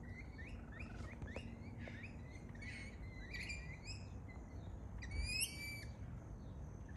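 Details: Lorikeet, a native Australian parrot, giving a series of short harmonic chirps and squeaks around the upper register, rising notes repeated about twice a second, ending in a louder buzzy squeal, over steady low background rumble.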